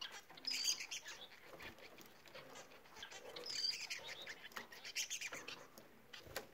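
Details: Bengalese finches singing: scattered bursts of harsh, buzzy chattering notes in two loose phrases, the second around mid-clip, with soft noisy gaps between.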